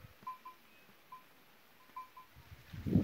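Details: Picui ground dove (Columbina picui) chicks give soft, short, pure peeps, single or paired, at irregular intervals. A low room rumble runs underneath, and a handling thump comes at the end.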